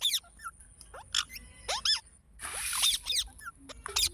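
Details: Green parrot (rose-ringed parakeet) chirping: a rapid series of harsh, high, sharply bent chirps and screeches, with a denser burst of scratchy chatter midway and brief pauses between notes.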